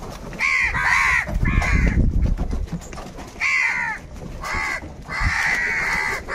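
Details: Live crows fighting for food give hoarse, drawn-out caws in uneven bursts, some doubled, some stretched to a second, over steady low rumbling noise between calls.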